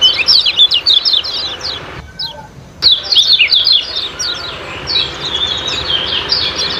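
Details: Ciak-ciak kecial kuning singing for caged-bird training: a fast volley of sharp high chirps, a brief hush around two seconds, then the twittering resumes, fading softer toward the end.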